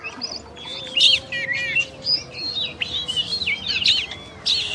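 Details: Singing oriental magpie-robin, known locally as kacer, in a tutor recording of champions: bright high whistles, buzzy bursts and slurred notes in lively irregular phrases, a thin steady hum behind.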